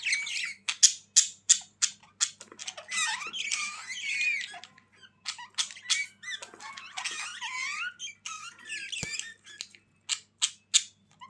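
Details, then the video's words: Budgies chattering to gladden lonely birds: a run of sharp clicks and squeaks, about three a second, giving way to dense warbled twittering with rising and falling whistled notes, then more clicks, over a quiet indoor hum. "Budgies Sounds for lonely birds to make them Glad"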